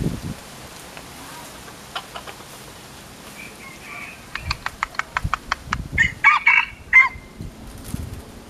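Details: A pair of Philippine junglefowl: a run of sharp, evenly spaced clucking clicks speeds up, then breaks into short harsh crowing bursts near the end, over low rustling and thumps.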